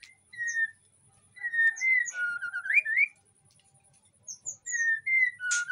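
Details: Breeding-condition white-rumped shama in an aviary in Indonesia, singing to draw other shamas: sparse clear whistles, some rising and slurred, separated by pauses, with a faint low background hum.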